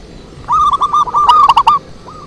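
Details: A single phrase of zebra dove lure song: a quick, purring series of mellow coos, louder toward the middle, ending with a few softer trailing notes.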